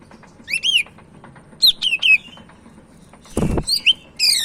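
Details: Sumatran leafbird of the Medan type in active song: bright, high, bouncing whistled phrases in short bursts, interrupted once by a dull knock.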